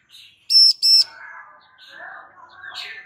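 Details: Female Bar-winged prinia calling to get a male to answer: two loud, harsh buzzy notes in quick succession, then softer scattered chirps and twitters.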